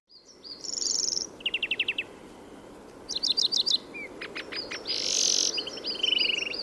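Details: Song of a European greenfinch recorded in Córdoba: a lively mix of rapid twittered trills, sharp repeated chips and a short burst of harsh buzz, delivered in quick varied phrases over steady background hiss.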